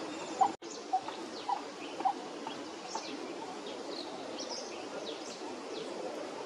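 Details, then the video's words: A Coppersmith barbet calls to a female and gets a response, giving hollow low 'tuk' notes about every half second that fade after a few beats, over a steady hiss with faint high chirps from other birds. "Coppersmith Barbet calling female"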